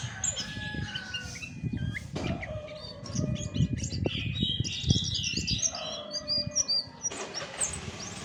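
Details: Chestnut-backed thrush singing its natural song, a busy stream of sharp chirps and quick whistled notes with brief pauses, over steady low rumbling and knocking, plus a constant faint high hum.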